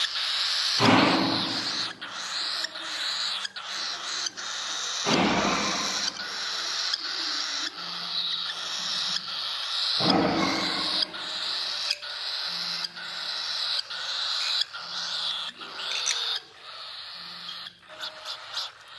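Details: Sun conure chick being hand-fed, giving loud, raspy, continuous begging calls in long breathy bursts, with pulsing harsh squeals and faint low background hum.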